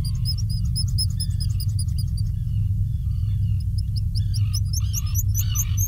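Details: Black guillemots at a nesting burrow on Seal Island, Maine, on June 30, 2021, as parents feed chicks: thin, high, rapid peeping whistles in quick series, some rising at the end, over a steady deep rumble of wind and surf.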